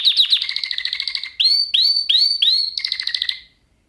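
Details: Song lesson for canaries: a fast buzzy trill with a lower harmonic band, followed by four rising upswept whistled notes and a closing buzzy trill that fades out.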